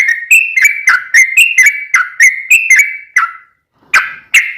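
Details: Long rapid-fire yellow-vented bulbul song meant to make other bulbuls respond: fast chain of bright, two-part whistled notes, brief pause, then two more loud notes.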